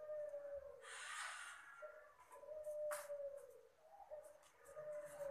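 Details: Soft Puter Pelung dove call, used to lure birds: long, smooth, slightly falling coos repeated, with broad noisy bursts breaking in near the start and middle.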